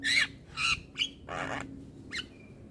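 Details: Young black-winged myna in continuous song: four broad, grating squawks of varied length, the third short and piercing, followed by a brief nasal note trailing into a faint thin whistle.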